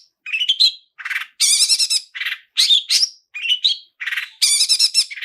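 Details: Lure recording of a chattering long-tailed shrike with varied mimicked phrases: rising chirped notes, dense grating trills and short whistled slurs alternate in quick bursts with short gaps.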